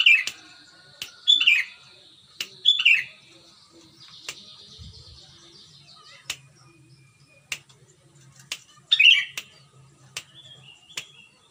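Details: Sooty-headed bulbul in West Java's Pengalengan area near Bandung, a strong clear singer used as a lure: several short chortling phrases early on and another near nine seconds, with scattered sharp clicks between.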